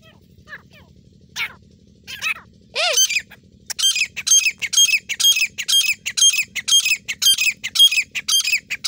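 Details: Grey francolin in the jungle in India, described as a female calling, used for partridge hunting; loud harsh squawking notes start sparse, then repeat rapidly about twice a second in a steady series, with a low hum beneath.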